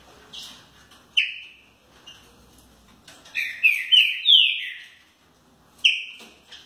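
Green-winged Saltator giving loud, slurred whistled notes in short bursts, with a quick run of four rich phrases in the middle; background otherwise quiet.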